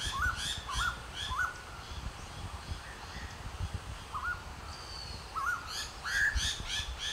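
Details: Striated laughingthrush, a shy Himalayan bird of thick shrubbery, vocalizing by puffing out its throat: a series of short, clear whistled notes with a quick upward inflection, given irregularly about once a second, over low rumbling background noise.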